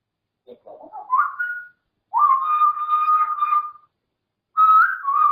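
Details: Pet grey parrot produces low gurgling notes climbing into a whistle, then a long level whistled tone and a final two-pitched whistle, in a quiet room.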